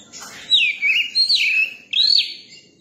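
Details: Newly caught Oriental magpie-robin, kept caged and being tamed to people, singing clear whistled phrases with swooping, looping notes that rise and fall, in three connected phrases over a quiet background.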